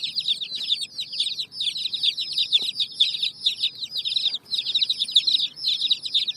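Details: Many baby chicks with their hen on raw bricks chirp in bursts of piercing, rapid peeps that run together in clusters, with short dips between bursts and a single soft knock midway.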